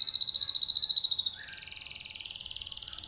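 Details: Canary song used to stimulate other canaries: a rapid pulsing high trill that shifts into a buzzier, slightly lower rolling trill.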